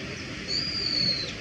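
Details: Brown-eared Bulbul, a wild bird, uttering one ordinary call (地鳴き): a single drawn-out, piercing high whistle lasting under a second and easing slowly downward, heard against steady low noise.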